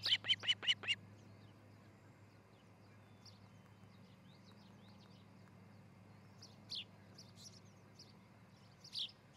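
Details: Osprey on a Charlo, Montana nest camera, 13 July 2018, early morning; opens with a quick burst of five loud, sharp whistled notes, then long quiet stretches with a few faint distant chirps.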